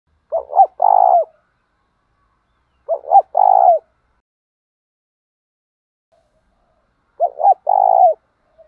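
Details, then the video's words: Spotted dove giving a lure call meant to provoke wild doves to come and answer: three phrases, each two short coos and one longer, fuller coo, spaced by silent gaps of about three seconds. "tiếng cu gáy THÚC đấu, tiếng gáy gọi bổi nhanh gáy"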